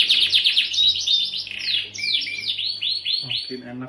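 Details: Gacor canary, pancingan cuit cuit nembak style: a fast chattering trill gives way to spaced, looping downslurred chirps and a short whistle, with a low brief noise at the very end.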